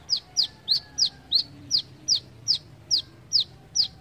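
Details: Brown-throated sunbird in besetan style, giving a steady string of about eleven sharp, high, down-slurred notes at a brisk, fairly regular pace against a quiet background.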